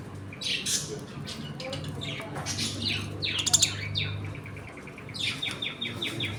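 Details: Budgerigars chattering in a home colony during feeding and play, with dense overlapping chirps and squeaks, a rapid run of short repeated notes near the end, and a low hum underneath.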